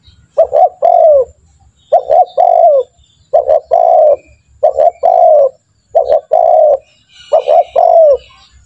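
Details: Spotted dove cooing steadily to train other doves to call quickly; six phrases of clipped double notes plus a falling drawn coo repeat regularly about every one and a half seconds.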